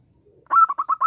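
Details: Brief burst from a local zebra dove singing actively: five short, rounded cooing notes delivered in fast succession at a steady mid pitch, preceded by a faint low murmur.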